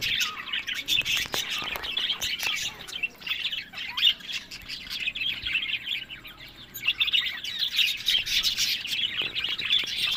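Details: Pet budgerigars kept for breeding in Larkana, Sindh. Continuous scratchy warbling and chirping from many birds, with brief squawks and occasional clicks, softening slightly midway before picking up again.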